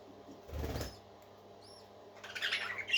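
A burst of wing flutter, then faint thin chirps and a short spell of busy, scratchy parakeet chatter at the end.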